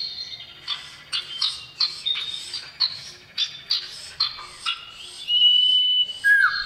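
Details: Common iora male calling to a female, loud and lively. Quick series of sharp chirped notes roughly every half second, ending in sustained clear whistles that step down in pitch.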